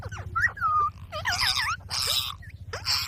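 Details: Green parrot talking, with short voice-like syllables: a held, slightly wavering tone, then harsher bursts and raspy noisy chunks, over a constant low hum.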